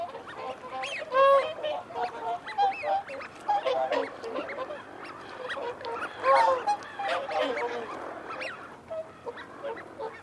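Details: Feeding and territorial calling from whooper swans alongside wigeon and mute swans: two loud clusters of trumpeting, harmonic honks about five seconds apart, over a dense bed of quieter honks and thin whistles.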